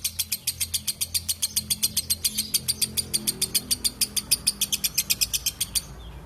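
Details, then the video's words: Lovebird chattering in a long ngekek sequence of dense, scratchy high notes repeated rapidly for almost six seconds before stopping abruptly, over a faint low hum. "LOVEBIRD NGEKEK PANJANG SUARA JERNIH"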